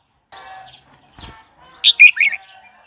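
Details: Red-whiskered bulbul phrase for stimulating newly acquired or wild-caught birds and teaching chicks: faint background chatter, then one loud, quick series of three falling, warbled notes.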